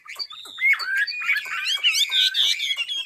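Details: Chinese hwamei from Ha Giang, Vietnam, singing a dense, busy phrase of overlapping whistles and harsher notes, with sharp clicks scattered throughout.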